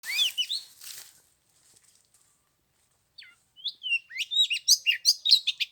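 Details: Oriental magpie-robin on the third day of Lunar New Year in 15-degree cold: a burst of high whistles, a pause of about two seconds, then a fast run of varied sliding and chirping notes.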